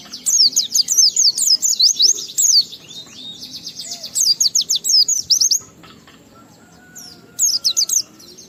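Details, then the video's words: Oriental white-eye singing a 'ngalas' style song with 'riwikan' fill-ins, used to prompt other white-eyes into song: rapid high-pitched runs of sharp, down-slurred chirps for about five seconds, then scattered short notes. "Burung Pleci Gacor NGALAS Isian sambung Riwikan Materi Ampuh Merangsang Semua Pleci langsung Gacor"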